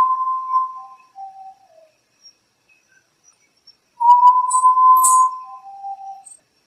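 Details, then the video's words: Urutau (potoo), a nocturnal ghost bird, singing at midnight with pure, steady whistles, each followed by a lower, drooping note. A brief high clink sounds midway. "SOUND OF URUTAU AT MID NIGHT GHOST BIRD FROM THE SINGING SCARY SINGING OF URUTAU"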